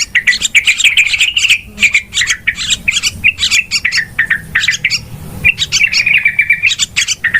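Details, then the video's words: Noisy yellow-vented bulbul calls, used as a lure for trapping birds: bursts of bubbly, scratchy chatter and gurgling notes in quick succession over a faint low rumble. "SUARA PIKAT TRUCUKAN RIBUT PALING AMPUH"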